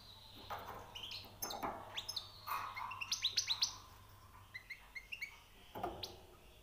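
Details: Newly caught European goldfinch singing high notes: bursts of bright, twittering chirps and short rising notes in scattered phrases, with brief pauses and faint background hum.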